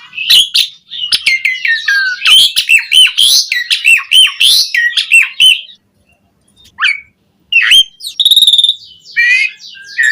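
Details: Asian pied starling singing to provoke caged birds: a long rapid stream of chattering whistles and squeaky notes, a short silence, then scattered whistles, a buzzy rattle and slurred calls.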